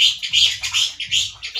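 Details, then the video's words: Male orange-headed thrush, a caged singer, in loud harsh song said to sound like a wild bird: a rapid stream of rasping, scratchy high notes in short bursts, without pause. "ANIS MERAH GACOR SUARA KERAS DAN KASAR SEPERTI DI ALAM LIAR"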